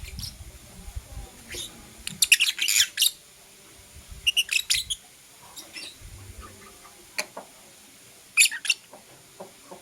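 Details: Blue opaline lovebird chirping in the morning: bursts of harsh, broadband high chirps in quick clusters, separated by short pauses, with a few isolated sharp notes and faint low background rumble.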